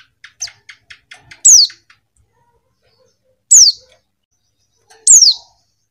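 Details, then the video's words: Female white-eye giving loud, high descending calls, each a sharp slurred note sweeping downward, three times roughly every one and a half to two seconds, preceded by a run of soft quick chirps. "suara pleci betina"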